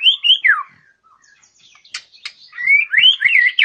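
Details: White-rumped shama described as a fighter-minded bird ready for contest: loud whistled phrases, sliding down then looping, a pause of about a second with faint clicks, then renewed rising and falling warbled whistles.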